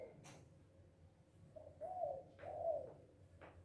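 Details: Spotted dove (tekukur, balam or anduhur bolon) calling loudly while described as happy; two low, smooth coos in succession, with faint clicks and a hushed background.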